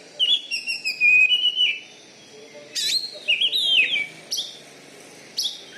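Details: Oriental magpie-robin (kacer), a loud-voiced Bengkulu champion bird, gives a long wavering whistle followed by sharp bursts and a sweeping descending phrase, then pauses.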